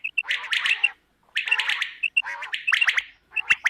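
A quail gives harsh, buzzy chattering bursts broken by short clear chirps, repeating roughly every second in a steady run.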